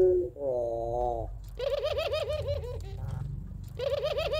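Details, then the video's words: Puter pelung dove, a Barbary dove kept at home, whose long crying two-note song lures other doves. Short steady note, then repeated wavering, vibrato-like coos with rich harmonics and low background rumble. "Puter Pelung Gacor Suara Menangis Panjang Kuwok 2 Not Sangat Cocok Buat Pancingan Puter Dirumah"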